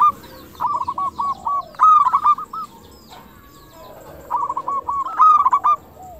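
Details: Zebra dove of local stock singing in the prized clear 'crystal' style, a lure to make doves respond: two bursts of quick, bouncing cooing notes, each ending in a louder clustered trill, with softer lower coos from another dove between them.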